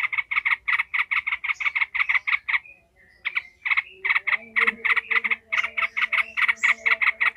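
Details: Yellow-vented bulbul raging and cackling with emotion, used to strengthen other bulbuls' fighting spirit: rapid repeated rasping chatter notes in long even runs, broken by a short pause.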